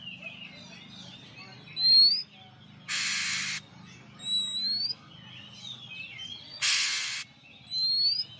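Oriental magpie-robin singing clear, rising whistles roughly every second or two, broken by two harsh, rasping bursts; a faint low hum underneath.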